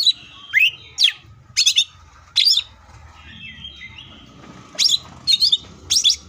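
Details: Cucak ijo (leafbird) singing full tembakan style: separate loud, sharp, piercing chirps in pairs and triplets, some falling in pitch, with soft twittering between them and a faint low rumble.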